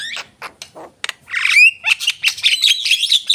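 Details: Javan myna, a captive bird in full song; several low rasping notes, then a rising whistle leading into a fast, scratchy chatter.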